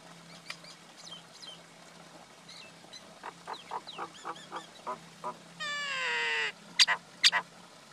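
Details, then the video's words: Common myna, male and female, calling: a run of short harsh notes rising and falling, then a long buzzy rasping note near six seconds, followed by two sharp high clicks; faint background hum throughout. "Call or Song of Male & Female common Myna, Acridotheres tristis"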